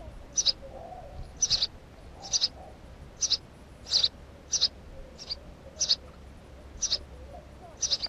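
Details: House sparrow giving short, high, bright chirps repeated roughly every half second to second in an even series, with a faint low hum underneath.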